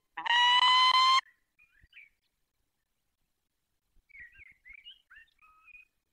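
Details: Peregrine falcon at the nest holding four eggs in the Barycz Valley, 20 March 2022 at 5:45: one harsh, strained wail, followed by quiet, thin chirps and twitters from small birds in the background.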